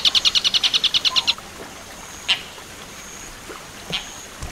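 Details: Long-tailed shrike in the tengkek buto werkudoro song style, a clear tutor recording for training other birds, with ten-second pauses: a fast burst of about twelve sharp, evenly spaced ticking notes, then a few isolated high chips over faint hiss.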